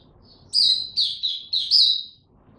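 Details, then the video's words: Caged Oriental white-eye in training, a brief high, warbling phrase of four linked slurred whistles, loud and clear against a quiet background. "Mata Puteh Dagger ramp up form buka tiong aw sing"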